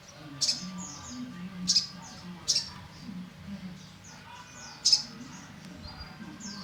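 An olive-backed sunbird gives sharp, very high, thin notes in short bursts about every second or two, with faint twittering between them over a low background hum.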